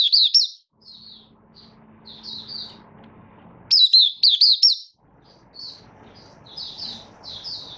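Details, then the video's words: Oriental white-eye from Malaysia, kept caged, starting to sing while building form in a minor moult, 24 August 2023: scattered soft high chips, then a loud burst of quick warbled looping notes, then quieter chips again over faint hum. "Malaysian Mata Puteh Buka Sing"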